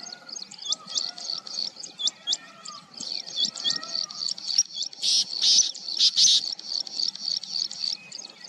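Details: Plain Prinia calling at Chandlai lake, Shivdaspura, Rajasthan, on 22 July 2020: rapid series of high, thin, repeated ticking notes with two buzzy bursts in the middle. Softer, lower whistled calls from Black Francolin and Rain Quail sound underneath.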